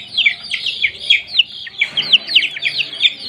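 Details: Newly obtained domestic chicks under brooding heat, calling with loud, clear peeps. Each note drops steeply in pitch, repeated in quick uneven bursts by several birds at once.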